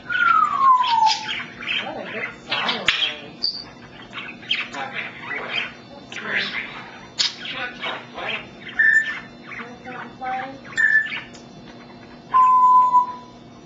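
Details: Captive African grey parrot chattering in speech-like phrases, mixing mimicked words with a falling whistle, short clicks and squawks, and several brief steady whistled notes.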